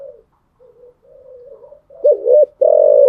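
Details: Spotted dove in the morning giving faint soft coos, then a loud phrase of two quick throaty notes followed by a long, steady rolling coo.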